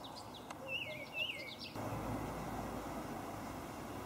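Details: Olive thrush delivering a quick run of slurred, warbling whistles in the first second and a half, then only outdoor background noise.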